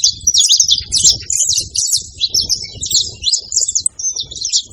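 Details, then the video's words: Saffron finches gathered at a feeding spot make a noisy chorus of dense, overlapping high chirps and short twittering notes, with quick down-slurred and rising chips running continuously. Soft low thumps sit in the background. "Canarinhos da terra fazendo barulho na seva"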